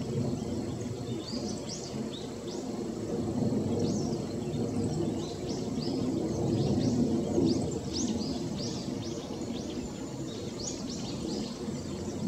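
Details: Female yellow-throated bunting (Emberiza elegans), recorded 2017-11-11, gives thin, high, short ticking notes, scattered and irregular, several each second, over a steady low rumble of background noise.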